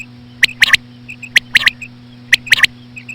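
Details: Common quail calls played to attract quail, with slow female sounds: crisp three-note bursts repeated roughly every second, separated by faint short whistled notes, over a steady electrical hum.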